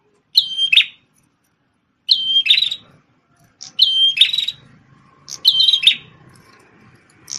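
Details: A prenjak tamu prinia with a red head, a champion singer formerly kept as a tutor for shamas, repeats a flat whistled note that breaks into a rough buzzy trill, four phrases spaced about 1.7 seconds apart, with a faint low hum behind.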